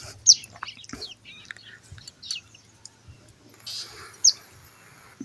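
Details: A captive-bred, hand-raised young bar-winged prinia, 25 days old and chattering for the first time, gives thin, high, scratchy chirps and short twitters in scattered bursts over a low hum and faint background noise.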